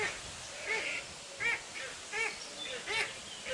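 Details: Captive steppe eagle at Zoo d'Upie in the Drôme, France, giving a series of harsh, arched calls about every three-quarters of a second, each with stacked overtones, over a steady background hiss.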